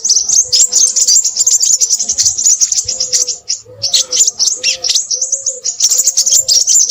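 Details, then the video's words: Crimson sunbird chattering nonstop in high, scratchy, fast-trilled phrases with brief gaps. Soft low tonal notes, like distant cooing, sound in the background. "burung sepahraja ribut"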